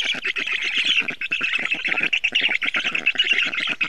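A Black Stork gives a harsh, rasping chatter of rapid, squawky notes, about eight or more per second, with no clear pause.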